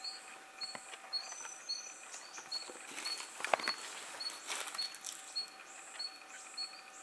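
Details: Red-gorgeted Flycatcher seen in Thailand giving a series of brief, high, thin whistles about twice a second, steady in pitch, with scattered clicks and faint handling noise.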